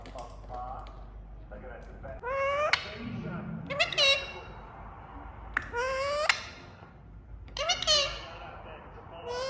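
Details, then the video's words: A talking Indian ringneck (rose-ringed) parakeet gives loud, harmonic, speech-like phrases with sliding pitch, such as "I love you" and "peekaboo", one burst every few seconds, over a faint background hum. "Smart Parrot Saying I love you | Playing Peekaboo | Ringneck Making Sound"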